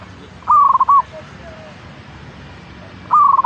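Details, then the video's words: Zebra dove, local bird, singing in a recording used to stimulate caged doves; a fast pulsed cooing phrase closing with a separate note, then another starting about 2.6 seconds later, faint coos between. "Pancingan Burung Perkutut Agar Cepat Bunyi - Zebra Dove"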